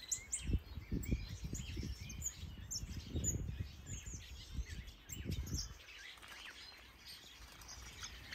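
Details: Aviary birds in Denmark during a walk through a large planted enclosure of finches, softbills, quails and turacos with eggs or chicks; scattered high twitters and chirps over repeated dull thumping steps that stop after about six seconds.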